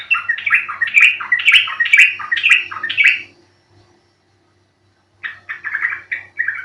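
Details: Yellow-vented bulbul recording meant to coax birds into singing quickly; rapid, rhythmic run of bright bubbling notes repeated about twice a second, a brief pause, then a softer chattering phrase, with a faint low hum.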